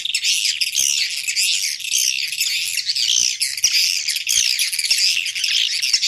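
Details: Roosting lure of swiftlets for a three-storey building: steady, dense high-pitched chattering and buzzy trills, many birds overlapping, with a few sharp clicks scattered through.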